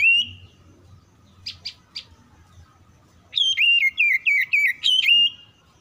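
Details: Oriental magpie-robin singing back quickly to other song: an opening whistled note, three short chirps, then a lively two-second run of looping whistled notes repeated about four times a second.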